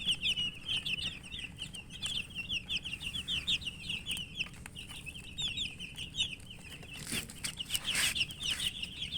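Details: Chicken chicks chirping as they eat, a busy stream of bright rapid peeps in clustered runs, with clicks and two rough scraping noises toward the end.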